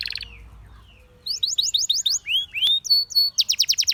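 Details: Canary song that opens with a brief high buzz and near quiet, then rolls into repeated sweeping chirps, two rising upslurred whistles and a fast series of sharp high notes.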